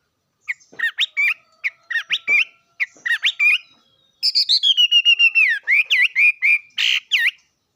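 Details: Singing bird with quick clusters of sharp, curved whistled notes, a short pause, then a long flowing trill of rapid slurred notes ending in a few loud, clear whistles.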